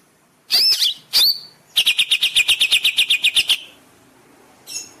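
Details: Greater green leafbird master song used to train caged birds: two bright upslurred whistles, then a quick even run of about fourteen clipped notes, ending in a short faint note.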